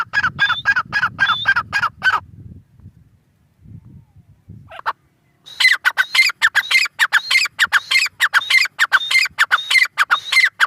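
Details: Grey francolin (teetar) giving rapid harsh, ringing notes with whistled tones for two seconds. A pause with low rumbling noise follows, then the bird resumes with a louder, steady burst of repeated calls.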